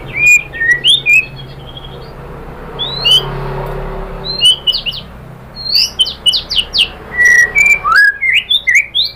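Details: White-rumped shama lure song for provoking rival shamas to sing: varied whistled phrases with upward and downward sweeps and sharp chips, a brief lull, then a lively run of quick whistles.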